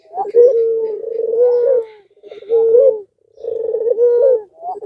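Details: Puter pelung (Barbary dove) provoking call to set other doves cooing: three trilled low coo phrases, each rising slightly at the end, spaced by short silences.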